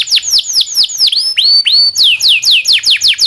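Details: Domestic canary song used as a master recording for training canaries, with the 'cuit cuit' and long rolling 'ngerol' style: a rapid series of high downward-sweeping whistled notes, some longer rising upslurs mid-phrase, loud and clean.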